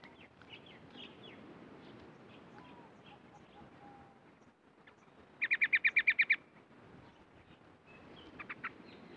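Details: Caged yellow-vented bulbul, newly acquired two days before, giving scattered faint chirps, then a loud rapid burst of about eight clipped, evenly spaced notes, followed by a few softer chirps.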